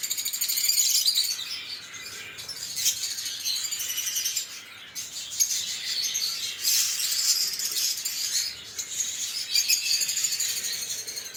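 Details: Several lovebirds keep up a long, shrill chattering chorus of high chirps and squeaks in loud bursts separated by short quieter gaps, the mass of calls never stopping completely.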